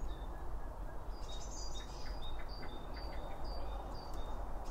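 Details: Short high chirps from birds eating at a feeder repeat roughly every half second in a binaural recording made beside the food. A dense low-frequency rumble runs underneath.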